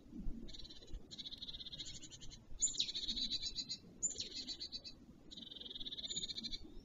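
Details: A male black stork, the first to reach its nest in the Notecka Forest near Wolsztyn, Poland, at 11:14 am on 2 April 2023, sings high, wheezy, hissing phrases about a second long with brief pauses, over a low background rumble.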